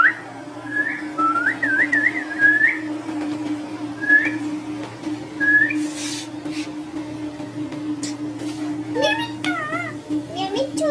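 An Indian ringneck parakeet whistles a run of rising, looping notes, then wavering warbled phrases, over a steady low hum.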